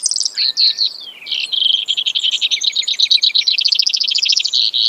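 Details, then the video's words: Brewer's sparrow delivering a long continuous canary-like song: a few high slurred notes, then an extended series of buzzy trills changing speed and pitch for several seconds without break. "Brewers Sparrow Sound, Bird Call"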